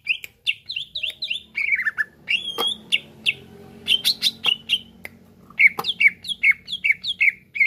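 A greater green leafbird pours out a fast, varied run of bright, high chirps and slurred whistles, roughly two notes a second, with many borrowed phrases.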